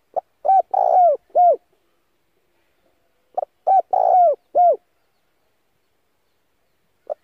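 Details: Decoy spotted dove calling to draw in wild doves, a recording also used for daily voice training of doves: two full four-part cooing phrases about three seconds apart, the second coo rolling and longest, then a final brief note. Quiet background.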